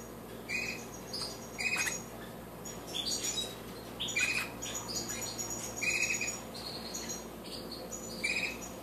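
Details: Colourful goldfinch hybrids twittering: bright, high chirps and tinkling trills come in bursts every second or so over a steady hiss of background noise.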